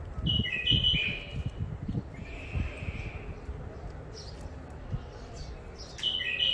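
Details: Wild bulbuls from the Mandali crossing, an old catch kept in first isolation: liquid whistled phrases near the start, a softer drawn note mid-way and another phrase at the end, among low thumps and handling noise.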